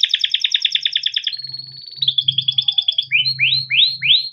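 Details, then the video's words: Timbrado canary song for training: a fast even trill, a smooth sustained whistle, a bubbling roll, then three rising swooping notes, over a faint low hum. "Timbrado canary singing beautiful melodic songs for training and listening"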